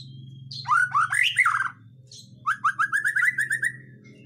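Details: White-rumped shama singing to stir other birds into song: a tumbling cluster of warbled notes, a pause, then a quick rising series of short repeated whistles, with a constant low hum behind.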